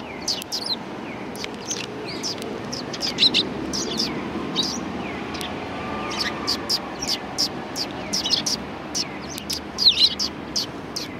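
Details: Sparrows at a Tenmangu shrine, 1 March 2020, chatter continuously with many short high chirps from several birds, while faint human voices murmur in the background.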